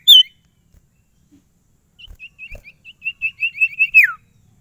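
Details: Sirtu kept as a cage bird, claimed not to stress when transported: a sharp opening note, a pause, then a quickening series of short high whistles ending in a steep downward slur.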